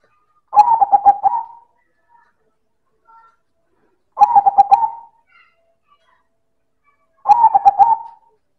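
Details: Silver zebra dove (perkutut) singing loudly in manggung style: three rolling, stuttering coo phrases, each about a second long, repeated roughly every three seconds with quiet gaps between.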